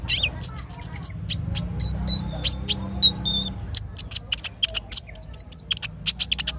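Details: Little spiderhunter singing in the morning. Quick high chip series alternate with thin, level, downward whistles, then dense sharp clicks, against a faint low murmur of flowing water.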